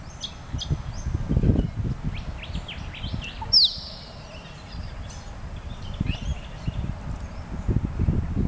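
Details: Australian musk duck displaying near Perth, the display including a 'plonk', whistle and splash: one sharp, descending whistle amid low splashy thumps, with small birds chirping and steady background rumble.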